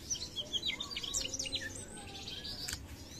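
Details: Mugimaki flycatcher in lively song, quick high chirps and downward-slurred whistles tumbling together over a low noisy background.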